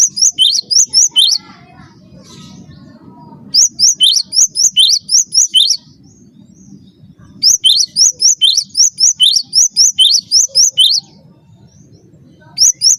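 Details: Cinereous tit master song for training cage birds: repeated phrases of sharp high notes, each ending in a rising whistle, delivered in bursts of two to three seconds with pauses of low rumbling background between them.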